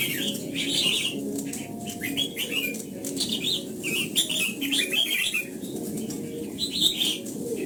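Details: Red-whiskered bulbul pouring out morning song while being trained in the old-forest double-note style. Dense runs of bright whistled phrases fill the clip with brief gaps, over faint low rumbling and wing flutters.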